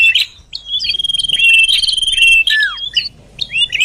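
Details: Common iora lure call used to draw birds closer: sharp high chirps, then a long steady whistled note held nearly two seconds, a downward-slurred note, and more quick chirps.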